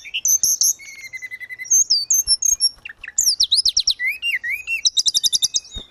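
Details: Grey-cheeked bulbul, or tledekan gunung, singing strongly for cage-bird training: a few fluty notes and a level whistle, then fast down-slurred chirps and a rapid trill of short repeated pips.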